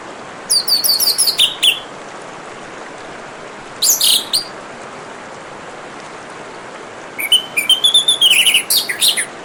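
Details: Orange-headed thrush singing over steady running water: three bursts of rapid, varied high whistled and chattering notes, the last a longer tumbling phrase with some dropping slurs, separated by pauses of a few seconds.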